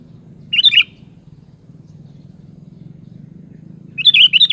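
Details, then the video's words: A kutilang, the sooty-headed bulbul, gives one short chirpy warbled phrase, then after a three-second pause a longer run of bubbly notes; low droning hum underneath throughout. "SUARA BURUNG KUTILANG"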